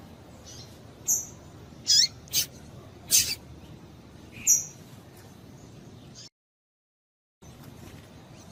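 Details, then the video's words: Female double-collared seedeater calls meant to get a male singing. Scattered sharp, high chirps and thin whistles over about five seconds, then a moment of complete silence before faint hiss resumes. "Piado de Fêmea de Coleiro Quente para Esquentar Coleiro"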